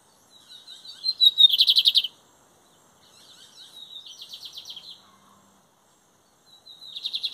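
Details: Lined seedeater (bigodinho) singing in the 2023 song competition season, with the metálico and torneiro song styles named. High, buzzy trilled phrases with a rapid pulsing, clean sound and pauses of one to two seconds between phrases.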